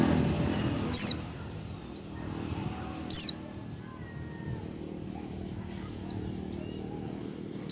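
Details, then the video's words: Shrill falling whistles from an oriental white-eye, recurring about every two seconds with softer thin notes between; a 'ngecal' and learning 'ngalas' style used to prompt other white-eyes to open their beaks and sing. "pleci ngecal dan belajar ngalas cocok buat pancingan pleci agar buka paruh"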